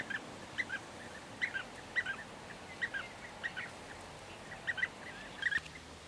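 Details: European bee-eaters (Merops apiaster), recorded in May 2023, give short, liquid rolling calls, often in quick pairs, about every half second over a soft steady background hiss.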